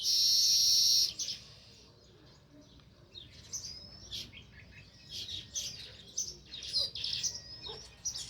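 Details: Sparrow chirping near its nest in a village; a loud harsh burst opens, then scattered bright chirps and short upward whistles build into a quick run of calls.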